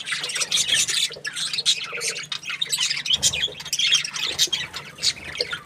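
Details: Happy budgerigar chirping continuously, a busy stream of high squawky chatter and short chirps, several overlapping notes with almost no pause, possibly more than one bird calling together.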